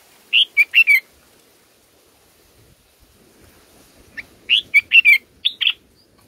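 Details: Bulbul nestlings in the nest while the mother feeds them grape and banana: loud, short, harsh chirps in a rapid burst of four, a pause of about three seconds, then another excited cluster of five or six.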